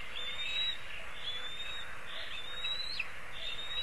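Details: Black kite (Milvus migrans) at its nest in a linden tree in Kurzeme, Latvia, on a live nest cam, 29 May 2023, 16:02, giving three or four thin, high, drawn-out whistled notes within four seconds, over a steady hiss of wind and background noise.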